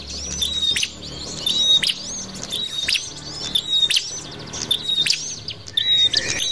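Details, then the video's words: Prinia (prenjak) call used as a lure: sharp, high chirps and short metallic trills in quick bursts, about one burst each second, with a faint low hum underneath. "pikat burung prenjak atas"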